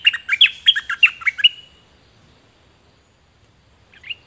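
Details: Song of pet Dok Taeng birds, a pair recorded in 2020 for young birds to copy: a quick burst of sharp, repeated chirps for about one and a half seconds, then silence, then a brief final chirp.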